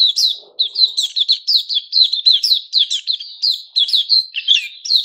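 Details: White-crowned shama (Puteh Raja) growing new feathers, recorded 6 September 2021; a steady stream of loud, fluty whistles and sharp chirps in quick succession, with a faint low rustle near the start.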